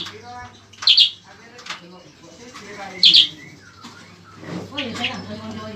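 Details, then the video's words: A common iora (bayeman or cicak kurincang) in full song, used as a tutor for training songbirds, gives sharp, high, bright notes about two seconds apart, with softer warbling phrases between, over a low steady hum. "bayeman atau cicak kurincang gacor"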